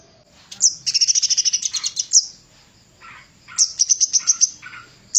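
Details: Javan cochoa singing, a master recording for training songbirds: bursts of rapid, very high bright chirps in quick trains, then a pause and a second shorter run of sharp tweets.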